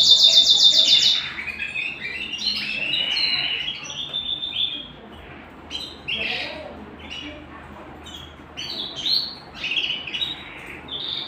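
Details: Domestic canary at home gives an opening high sustained trill, then a varied run of short chirps, twitters and brief trilled bursts separated by small pauses. The room background is quiet.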